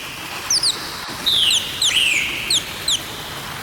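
A parrot gives sharp, high, downslurred chirps, some in quick pairs, mixed with a few longer sliding whistles over a steady background hiss.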